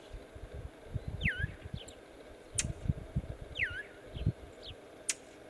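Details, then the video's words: Northern Illinois brown thrasher alarm: two clear descending slurred whistles, each followed by softer short notes, and crisp smacking clicks, against low thumping rumble from wind or handling. "Brown Thrasher Alarm Call"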